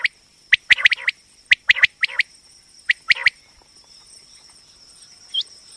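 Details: Female common quail, batair single call for hunting: a few clusters of crisp double and triple chips in the first half, then mostly quiet with one faint whistle, steady high electronic whine underneath.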